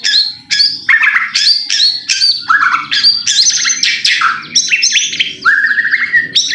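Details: White-rumped shama song meant to provoke a bird into singing: loud, rich phrases of high whistles and sweeping downslurs, repeated in quick succession.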